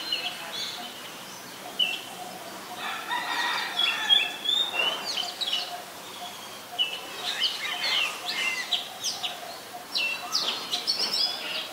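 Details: Oriental magpie-robin singing in Ubon Ratchathani, Thailand, on 3 February 2023, recorded with a Nikon P1000: a varied run of clear whistled phrases and quick chirps, some rising and some falling, with brief pauses between bursts.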